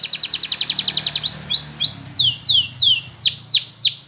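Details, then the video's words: Belgian canary training song for young birds: a fast regular series of pulsed notes, then slow loud downward-sweeping whistles repeated about every third of a second; low background hum. "Belgian Canary Training For Preschool Canaries Sing Diligently"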